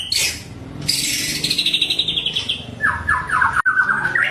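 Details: White-rumped shama, a fighter bird singing to provoke other shamas: high sweeping whistles, then a long fast chattering run sliding downward, followed by a short series of lower rising whistled notes.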